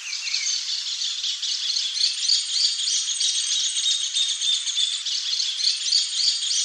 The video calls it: BESOURINHO-DE-BICO-VERMELHO canto (CHLOROSTILBON LUCIDUS), GLITTERING-BELLIED EMERALD